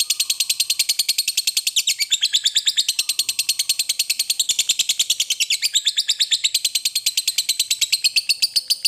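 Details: Lovebird delivering a long ngekek chattering song, used to encourage other lovebirds to sing: an unbroken, loud, very fast series of shrill pulsed notes at a steady rhythm across the whole stretch, with slight shifts in pitch and no other sounds.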